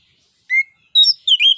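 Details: Orange-headed thrush, locally anis kembang, singing full out to stimulate other songbirds: a short rising whistle followed by two fast, slurred whistled phrases.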